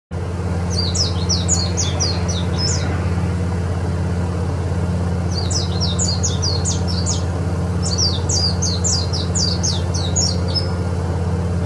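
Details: White-eye singing in three bursts of thin, very high, rapid downslurred whistles, each burst about two seconds of quick repeated notes, over a loud steady low mechanical hum.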